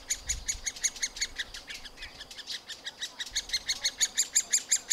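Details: Middle spotted woodpecker nestlings in a tree-cavity nest, being fed by parents, give a fast, steady chorus of high, scratchy chirps, several each second, without pause.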